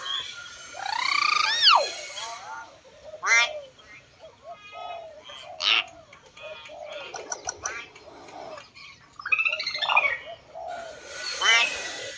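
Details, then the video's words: A common hill myna gives a varied run of loud whistles, rising squawks and harsh chattering notes over about twelve seconds, with short pauses between bursts. "Hill Myna"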